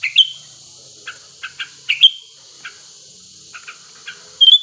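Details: Sooty-headed bulbul, a wild male in breeding condition, used as a lure to prompt singing: scattered short clipped notes and a few bright slurred whistles, separated by quiet gaps, with a faint high hiss behind.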